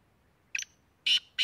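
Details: Black francolin, known locally as kala teetar, from Tank in Khyber Pakhtunkhwa, Pakistan: a short harsh double note, then two loud grating buzzy bursts, quiet between them.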